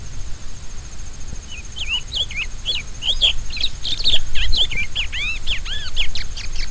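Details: Song of the rusty-collared seedeater, locally coleiro do brejo: a lively string of looping, slurred whistles delivered rapidly, some notes arching down, growing louder midway, with a faint constant high-pitched hum behind.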